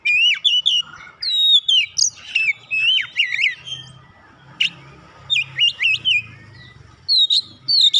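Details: Caged Oriental magpie-robin prompted to sing: varied whistled notes, quick slurred trills and squawky accents in uneven bursts, with a soft low background hum.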